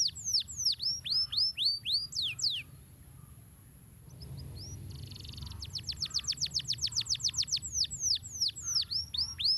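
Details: Rolling canary song from a training master track. Looping whistled slurs give way to a quiet gap with a soft buzzy note, then a rapid rattle of sharp notes and renewed swooping whistles.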